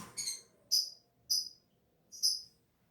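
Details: Lovebird from Gresik, East Java, kept caged for song contests: four separate high, sharp chirps spaced roughly half a second apart, with near silence between them.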